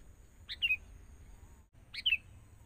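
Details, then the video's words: Sooty-headed bulbul from the forest, trained with a decoy bird to draw nearby birds down: two clear chirps, each a short sharp note falling into a slurred tail, about one and a half seconds apart. "Proses.. Melatih Kutilang Mudah Hutan.."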